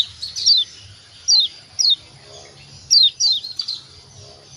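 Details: White-eye from Lombok, locally kecial kuning, used as a lure call to provoke answers: sparse loud, thin descending chirps, mostly singles and pairs separated by about a second of quiet.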